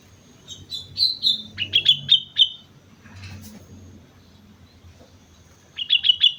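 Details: Gacor song of a sooty-headed bulbul from Mount Slamet, with a bubbling string of short whistled notes, then a pause and a final burst of four rapid chirps; quiet low rumble beneath.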